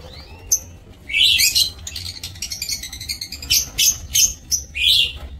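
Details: Captive lovebirds in an aviary, 27 March 2024, chattering continuously: rasping shrill squawks mixed with quick squeaky notes, rising and falling in loud pulses, over a soft low hum.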